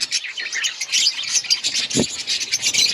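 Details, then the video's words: Budgerigars in an outdoor breeding colony, many birds chirping at once: a dense, continuous chatter of high, quick twittering notes with no pauses, and a single low thump midway. "Budgies birds chirping sounds in outdoor colony"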